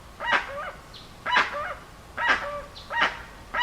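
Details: Dusky-legged guan, also called jacu-velho, giving harsh honking calls repeated about once a second, each a loud broad burst with a short falling tail.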